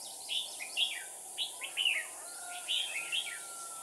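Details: A decoy red-whiskered bulbul sings to provoke rivals, giving separate short whistled phrases of sliding notes, each about half a second long, scattered across the clip over a constant hiss.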